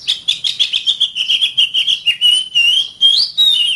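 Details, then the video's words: Oriental magpie-robin master song for training caged birds: rapid trilling chirps, about two per second, over a steady high whistle, finishing with a rising then falling whistled phrase. "SUARA BURUNG - Masteran Terbaik Kacer"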